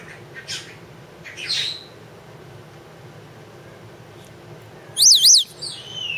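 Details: Pet two-year-old female Congo African grey parrot indoors, coaxed by her owner to talk: two short rising whistled notes early, then a loud, sharp zigzag whistle near the end, over quiet room hum.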